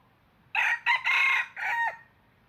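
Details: Red junglefowl used as a trapping decoy gives one clear crow in four linked parts. The long strained middle note is followed by a shorter dropping ending, with little other sound.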